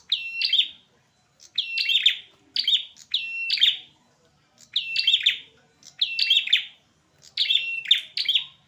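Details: Fighting male prinias give piercing chirps in clumped bursts of two to four notes. Short silences separate the bursts, and the pace stays lively.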